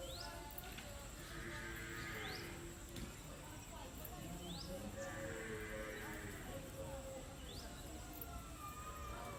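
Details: Repeated peacock cries, two broad wailing calls a few seconds apart, with brief upward-sweeping chirps between them over constant low background noise.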